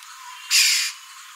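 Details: A black-hooded oriole (Oriolus xanthornus) gives one harsh, nasal, rasping note (call type 2) lasting under half a second over a faint steady hiss.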